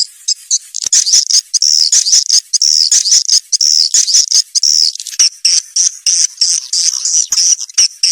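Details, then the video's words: Swiftlets heard through a lure recording meant to draw young swiftlets into a new nesting building: dense, high, buzzy chirps and twitters in rapid overlapping bursts, roughly one burst per second, with short gaps between. "suara walet terbaru 2021"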